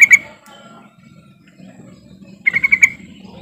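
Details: Bulbul lure call for prompting silent yellow-vented bulbuls to sing: a couple of bright notes at the start, then a rapid five-note bubbling phrase, over a steady low hum.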